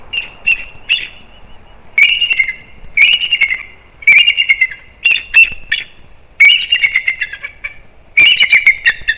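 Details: Bald eagles, a nesting pair on Captiva/Sanibel Island, Florida, calling on alert at something to the right of the nest in December; bursts of high, thin, rapid chattering squeals near the same pitch, repeated in groups about every second.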